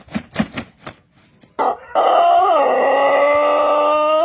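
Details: Pelung chicken from Cianjur, West Java, an Indonesian ornamental breed prized for its long, melodious crow: a few short clucks, then a loud drawn-out crow that dips briefly and holds steady and rich-toned to the end.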